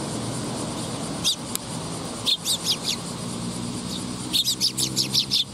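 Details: Young sparrow recorded on 20 August 2021: short high chirps in scattered bursts, ending in a quick series of about eight rapid chirps, over a steady low hum and broadband background noise.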